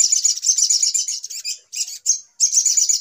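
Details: High, rapid chattering of a brown-throated sunbird in an agitated lure call used for trapping, with short breaks and brief sharp notes before the dense twitter resumes.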